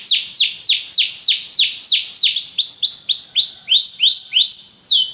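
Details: Belgian canary tutoring other canaries with a rhythmic series of loud down-sweeping whistles, changing midway to shorter arched notes at a lower pitch and ending on a rising slur.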